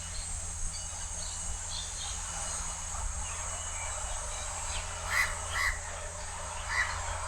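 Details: At Changi Beach Park in Singapore, a house crow calls loudly from a high perch. Three harsh caws come late, two close together and one after a pause, against faint chirps from other birds and a low background hum.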